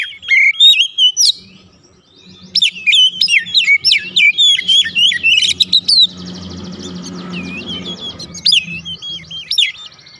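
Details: Varied, loud song of a white-rumped shama, played to draw a reply from other birds; fast whistled slurs and sharp upsweeps in dense bursts, with a low hum and a faint buzzy background partway through.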